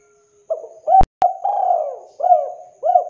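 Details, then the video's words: Spotted dove (tekukur) recorded as a lure with a rich voice; a single cooing phrase of short hooted notes and a long descending coo, interrupted by two sharp clicks near its start. "MASTERAN DERKUKU TEKUKUR GACOR TANPA IKLAN JERNIH SUARA TEBAL MEWAH COCOK BUAT PANCINGAN"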